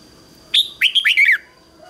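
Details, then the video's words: Red-whiskered bulbul kept as a decoy, singing a loud phrase of one note followed by a run of bright, sliding whistled notes, ending on a falling note, to call in wild birds. "Chào mào mồi HÓT CHÉ GỌI BỔI CĂNG ĐÉT"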